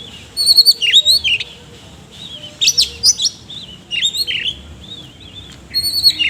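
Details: Oriental magpie-robin delivering loud, varied song in the 'ngobra isian kasar' style. Groups of rapid chirps and twisting whistles come in three bursts, with quieter pauses between them.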